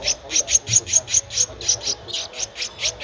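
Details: Streak-eared Bulbul nestling, 13 days old, at Ubon Ratchathani, Thailand, on 15 April 2023: high, thin squeaky notes repeated steadily about five times a second, with a soft low hum underneath.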